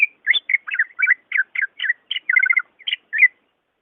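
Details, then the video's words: Varied greater green leafbird song, a recording for stirring a quiet caged bird to sing: a continuous chatter of short jumbled whistles and slurred notes, some doubled and trilled, delivered rapidly without pause. "SUARA ASLI BURUNG CUCAK IJO"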